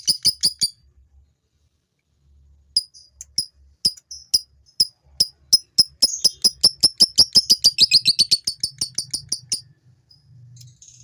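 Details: Male fighter lovebird giving ngekek, a long chatter played to excite females into chattering: sharp high notes in quick bursts, a pause near two seconds, then a long run that speeds up into a dense trill before fading.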